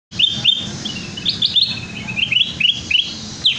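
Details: Sooty-headed bulbul song used as a trapping lure, meant to draw out the bird's full repertoire: sweet, high chirped notes in quick bursts, some rising and upslurred, with a faint low hum beneath.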